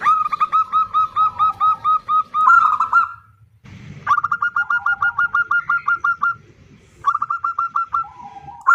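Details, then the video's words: A female zebra dove calls for the male with long, quick trains of clipped, resonant coos, each run ending in a slightly drawn-out note before a short silence. "Suara Perkutut BETINA Memanggil JANTAN || The sound of a female turtledove calling male."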